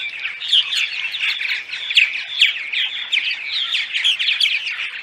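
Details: Daytime purple martin chatter for attracting martins during migration: a lively, continuous mix of throaty gurgling and chirped phrases from multiple birds, pulsing slightly in loudness.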